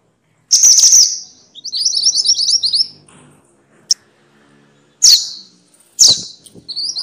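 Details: Minivet, called mantenan or sepah, as filler song for songbirds: a shrill burst, then a quick run of about a dozen high rising notes, followed by sharp isolated chips.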